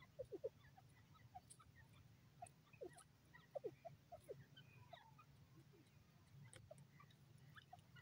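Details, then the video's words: Francolin, described as a grey or desi teetar, calling with clusters of short sharp notes near the start and middle, then softer scattered chirps, over a constant low hum with faint clicks. "lovely teetar awaz lovely teetar ki sound"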